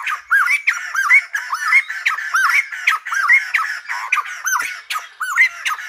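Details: Rhythmic silver-headed babbler song, likened to a lumba dancer: the same hooked whistle, dipping then rising to a bright upslur, repeats roughly every half second, with a thin buzzy haze behind it.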